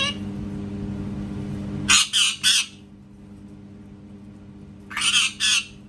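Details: Parrot that imitates cat sounds here gives two groups of three loud, grating squawks about three seconds apart. A droning hum is heard at the start, with quieter background between the bursts.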